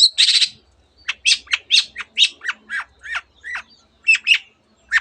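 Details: Long-tailed shrike singing with mimicked canary and many other bird phrases: an opening harsh buzzy burst, then a quick run of short sharp chirps and downslurred whistled notes in separate bursts.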